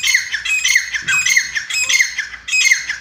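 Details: Captive grey francolins (chitta teetar) raised at home. Harsh, high squawking notes come in quick bursts that each slide downward. The bursts overlap into a busy chorus, broken by short pauses.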